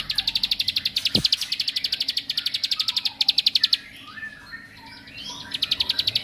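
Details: A bar-winged prinia's provoking song: rapid high trills of sharp repeated notes, a pause filled with soft twittering from other birds, then the fast trill resumes.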